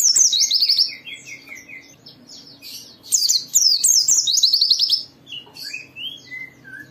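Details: White-eye (pleci) song for prompting other white-eyes to sing: long, rapid cascades of high, descending chirped notes in two loud runs, with softer twitters and a faint low hum between.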